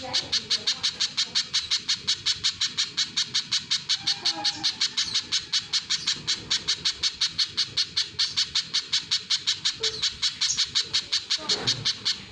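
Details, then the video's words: A long, unbroken series of shrill, clipped notes from a little spiderhunter, about three each second, keeping an even rhythm throughout, with faint low rumbles behind. "Burung pijantung pisang GACOR | suara asli tajam dahsyat"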